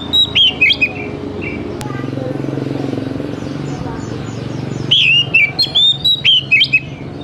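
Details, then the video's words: Oriental magpie-robin song used as a lure to get young, newly caught wild birds singing quickly: bursts of clear, warbled whistled notes open and close the passage, with a low steady hum and faint murmuring between them. "SUARA PANCINGAN DASAR UNTUK KACER BAKALAN MUDA HUTAN TROTOLAN AGAR CEPAT BUNYI"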